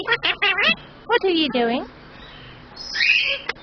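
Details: Pet male superb parrot talking, imitating human phrases such as "oh thank you" and "pretty boy": a rapid series of harmonic, voice-like syllables in two bursts, then a softer wavering phrase and a final click.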